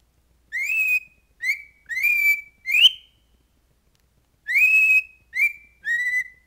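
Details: Cockatiel belonging to an LSU fan whistling the football song "Hold That Tiger": seven clear whistled notes, each sliding upward then held steady, in two phrases with a short pause between.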